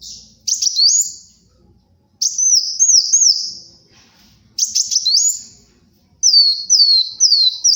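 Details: Sunbird known locally as kolibri wulung in full song, for luring and tutoring: high, bright phrases of repeated rising-falling slurs, three or four per burst, with roughly one-second gaps between bursts.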